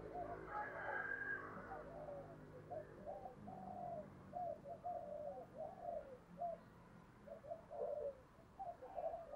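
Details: Lure spotted dove with a deep 'thổ' voice cooing to rouse wild doves, recorded faintly: a loose run of short, low coos amid steady background hiss, with a brief higher noise at the start.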